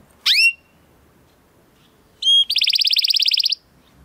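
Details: Training song of a male Timbrado Español canary born in 2020 from rated parents: one sharp rising call note, a pause, then a short metallic note leading into a fast rolling trill lasting about a second.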